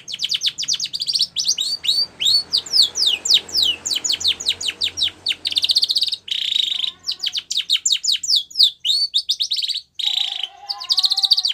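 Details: Spanish Timbrado canary, white, singing for the training of young canaries: long run of rapid downward-sweeping high notes, buzzy trills mixed in, and lower warbled phrases near the end over faint background noise.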